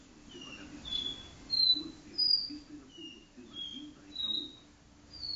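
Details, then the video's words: Caboclinho kept indoors singing the do-re-mi style song in a living room: a series of pure whistled notes alternating between higher and lower pitches, roughly one or two per second, with soft murmuring voices beneath. "caboclinho do-re-mi na sala"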